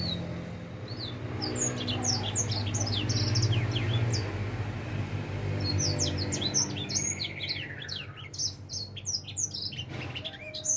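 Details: Edel sanger finch, four months old and starting to sing, twitters in quick high chirps and slurred whistles, building toward the end, against a prominent low humming background.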